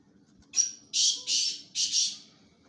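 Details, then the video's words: Black francolin (kala titar), a bird kept for calling tournaments, gives one phrase: a brief thin whistle, then three loud harsh rasping bursts in quick succession, with a faint low hum underneath. "Kala Titar Awaz"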